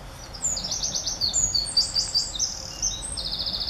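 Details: Male Eurasian wren courting in northern Germany on 2 July 2017, singing for a female to use the nest he built in ivy in March: a loud, very high, rapid stream of trills and sharp notes with steady low background noise.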